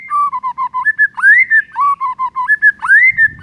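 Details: Clear whistled phrase of a white-rumped shama for the morning: steady mid-pitched notes followed by a rising slurred whistle, the phrase given twice in succession.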